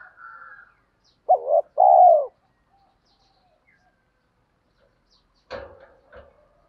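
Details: Spotted dove calling to lure wild doves. A faint high tone, then a close phrase of a clipped rising note and a long low coo, followed by silence and a couple of sharp knocks or clicks.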